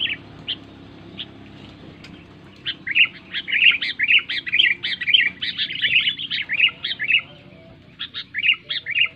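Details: A sooty-headed bulbul's loud, ringing song, used to prompt lazy bulbuls to sing: a few isolated chirps, then a sustained flurry of bright, quickly repeated notes, ending in short chirping groups.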